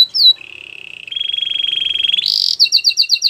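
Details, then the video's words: Song of a Belgian canary, for training: a brief clear whistle, then a long sustained trilled tone edging upward in pitch, a sudden harsh buzzy burst, and finally a quick string of repeated high chips. "Your canary is silent ? turn it around so it will sing a long | Belgian canary"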